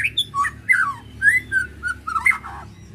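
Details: White-rumped shama giving ketrek to provoke emotion: a dense three-second string of rich whistled phrases, some dipping, some rising, with brief scratchy overtones and a soft low hum behind.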